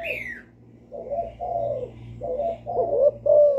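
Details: Young spotted dove used as a decoy, calling with bowing coos: a few low hoarse coo notes rising and falling, over a noticeable background drone and an early high falling chirp.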